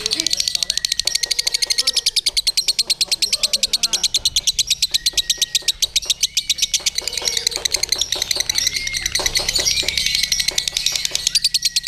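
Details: Ngekek from a lovebird raised on a gantang pole beside a handler: sustained, fast, high-pitched rattling chatter that barely pauses, its shrill notes packed tightly together, while soft human talk murmurs in the background.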